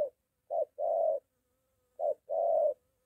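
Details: A molting decoy spotted dove in training near home, meeting a wild dove. Two paired phrases of soft coos, each a quick note followed by a longer rounded hoot, about one and a half seconds apart. A faint thin tone lingers between them.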